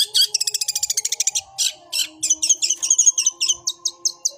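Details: Long-tailed shrike in fighting song, style called 'suara gereja': a fast buzzy trill, a few harsh scratchy notes, then a slowing series of clipped high whistles.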